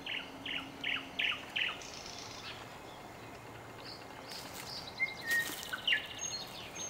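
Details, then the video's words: A nightingale gives a string of four repeated chirping notes, then after a pause scattered whistles and sharp notes amid soft background noise. "Пение соловья / Chill out Nightingale Singing"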